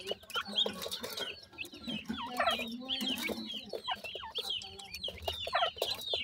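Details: Chicks of a grey francolin family calling while they feed, a steady chorus of high downward-sliding peeps and twittering, with low clucking and scattered pecking taps beneath.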